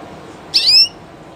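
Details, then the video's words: A live Spanish Llarguet canary sings a single clear, slightly rising whistled note lasting about a third of a second, bright and ringing; otherwise quiet. "CANTO DE CANARIO DE UNA RAZA MUY CONOCIDA Y DE LEYENDA llarguet español"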